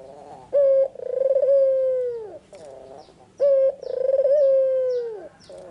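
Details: In the afternoon a white Barbary dove with red eyes repeats its song twice: a short even coo followed by a long vibrating coo that flattens and drops off, with faint soft notes in the gaps between phrases.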